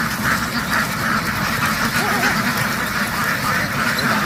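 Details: Noisy farm ducks hurrying into the water and back out onto a field; a thick wall of overlapping harsh quacks with a few clearer single calls standing out.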